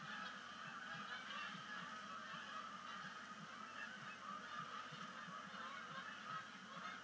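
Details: Canada geese gathering at sunset on Sapsucker Woods Pond as migration begins, October 2019; an even wall of overlapping honks from many birds, fairly distant and uniform in loudness with no single caller standing out.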